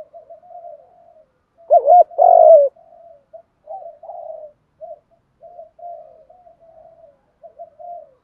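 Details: Spotted dove coos used to provoke wild doves into cooing, recorded for training captive doves; a loud, low hooting double coo near the middle stands out from many faint, soft, repeated coos at similar pitch throughout.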